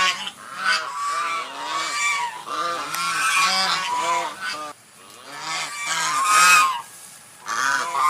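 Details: White swan calling almost continuously with rapid, overlapping nasal honks. The calls are harsh and brassy, and there is a brief lull near the middle.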